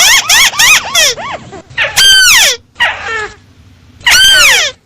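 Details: Crake call played as a trapping lure: a few loud, squealing, arched notes, then longer descending harmonic squeals separated by short gaps, with faint low background rumble.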